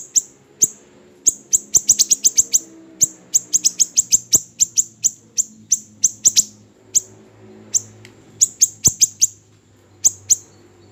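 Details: Lively bursts of sharp, very high chirps from a small siri-siri bird, fast clusters of five or six notes alternating with single notes, each note dropping in pitch, with a low hum in the background.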